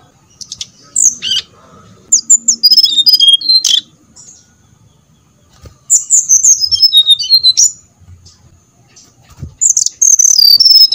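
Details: Brown-chested jungle flycatcher lure song to make birds sing: three spaced outbursts of high whistled notes cascading downward, with faint low hum in between.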